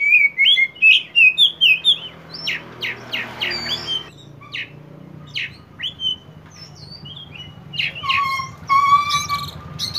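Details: Oriental magpie-robin (kacer poci) singing actively in the 'konslet' style, used to prompt untrained magpie-robins to sing: loud whistled phrases with rapid repeated notes, sharp upslurred chips, and a final steady whistle over low hum.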